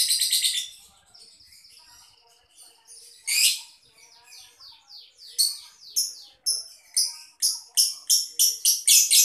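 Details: Caged lovebird of the Boyolali-Solo area, Indonesia: a burst of high trilling, quieter sweeping chirps, then a run of sharp, evenly spaced squeaky notes speeding up toward the close.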